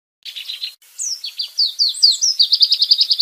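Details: White-rumped shama, a cage-bird training recording, sings a fast run of high whistled and slurred notes that climbs and ends in a rapid string of short repeated bursts.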